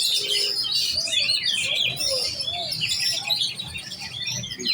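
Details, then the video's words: Young oriental magpie-robin (kacer giras) in competition-set training, singing a dense, rapid stream of high whistles, trills and buzzy chattering notes, varied and almost continuous, with faint low rumbling underneath. "Burung kacer giras set lomba kejar on ngunci"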